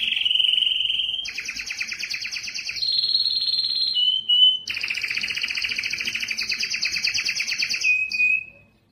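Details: Canary singing in an excited state, wanting to mate: long rolling trills and tours at steady pitches, shifting between low and high rattling sections, with a brief bright note before a high rolling tour and a short falling end.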